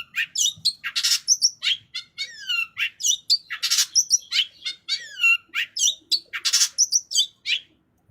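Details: Long-tailed shrike, kept as a hobby songbird, delivering a richly filled song of fast whistled slurs, trills, squeaky chips and loud harsh rasps, packed densely together with almost no pauses.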